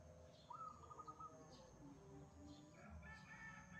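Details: Wild zebra dove singing vigorously: a rising note leads into a quick bubbling series of soft cooing pulses, with further phrases near the end, over a constant thin high whine and low background rumble.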